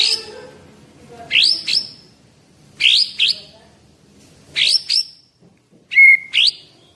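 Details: Eleven-month-old caged white-rumped shama of Medan type, 24 cm, bred for singing contests, repeating paired upward-sweeping whistled notes roughly every one and a half seconds with a flat whistle near the end.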